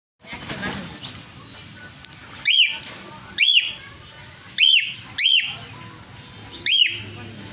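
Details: A brown male pet cockatiel gives loud, clear rising-then-falling whistles, repeated at irregular intervals of a second or so.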